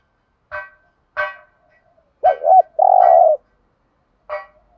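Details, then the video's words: Spotted dove used as a lure to stimulate other doves. It gives one low phrase, a warbled double note and a long steady coo, between sharp knocking clicks. "thuc gu tho pha cu moi tho pha gu thuc gay goi"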